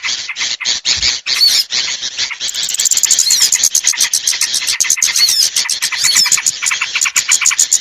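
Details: Sound for luring small birds that are hard to bring down: a few separate high squeals at first, then a steady stream of fast, sharp repeated chirps and twitters filling the rest.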